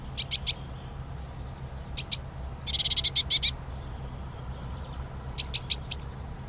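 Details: Eurasian nuthatch (Sitta europaea), call.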